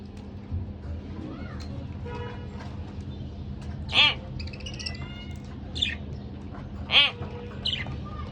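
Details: A pair of pet budgerigars giving occasional harsh, buzzy squawks with softer chattering notes between them, a loud call about every three seconds over a low background hum.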